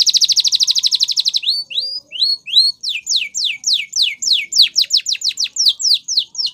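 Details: Canary training song begins with a fast pulsing trill lasting over a second. Four rising slurred whistles follow, then a long run of quick descending notes repeated several times per second, loud and clear against a quiet background.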